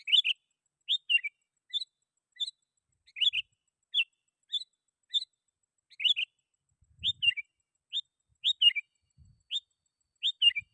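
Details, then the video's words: Sooty-headed bulbul calling rivals, used as a lure for wild bulbuls: short bright chirped notes of two or three quick elements, repeated about every half second in a steady series, with a faint low thump near the middle. "Suara Burung KUTILANG GACOR Ampuh 100% Bikin Kutilang Lain Ikut Bunyi"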